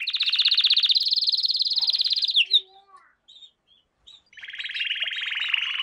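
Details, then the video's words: Canary singing a training lesson for young canaries: a fast, even trill held for over two seconds, a few scattered chirps and short notes after a pause, then another steady rapid trill at a slightly lower pitch. "Canary Singing - lesson 16"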